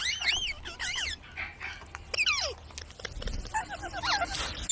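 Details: Parrot giving a run of harmonic whistled notes that sweep up and down, in short bursts over a low background hum and scattered clicks.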